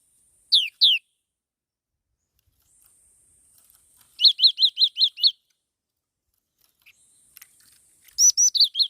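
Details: Ornamental caged black-throated laughingthrush: two separate downslurred high notes, then a run of six fast chirps, and later another burst of bright chirping notes, with soft clicks and a faint hiss in the gaps.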